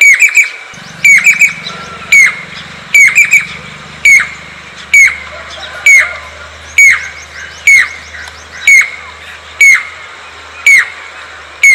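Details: Jacobin cuckoo, or crested pied cuckoo, calling steadily: strident piping notes about once a second, several doubled in quick pairs, each clipped and falling; a low hum runs underneath through most of the recording.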